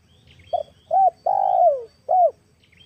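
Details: Female spotted dove, a recording used as a lure for wild doves: a brief low note, then a short arched coo, a long hoarse coo falling in pitch, and a final arched coo, with faint higher chirps in the background.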